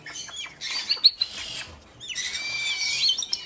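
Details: Lesser sulphur-crested cockatoo chicks, siblings about four months old, being hand-fed: harsh, raspy high squeals in two bursts, with short slurred whistle-like notes.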